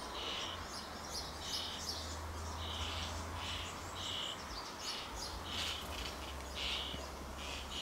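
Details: Hungry juvenile Common Starling, probably soon to fledge, begging while being fed: harsh, buzzy, noisy calls repeated roughly every second, with a steady low hum underneath.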